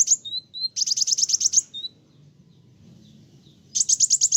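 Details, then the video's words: Brown-throated Sunbird singing loudly to provoke other birds: a thin high whistle, then a rapid string of sharp chips about eight per second, quiet for two seconds, then another chip series. "Kolibri wulung gacoorr bikin burung lain emosi"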